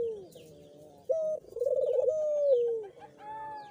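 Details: Barbary dove cooing used as a lure for a dove that will not call. A brief steady note, a rapid rolling trill and a long downward-sliding coo run together, then a higher note closes the sequence.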